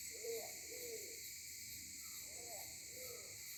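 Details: On Sarva Island near Kampung Ugar, a Maleo caught on a phone camera gives two pairs of mellow, arching low hoots about two seconds apart, set against constant high insect buzzing.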